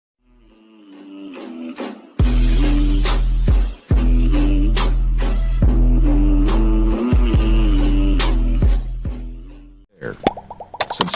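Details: Loud music with deep, droning bass and a pulsing beat fills the recording, joined by vocals. No bird or other animal calls can be picked out.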